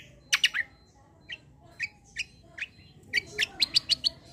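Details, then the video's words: Kecial kombo, a white-eye, in energetic song: a quick opening burst of high chips, spaced single chirps, then a fast run of bright, evenly spaced notes at the end. "KECIAL KOMBO CUCAK KOMBO FIGHTER GACOOR"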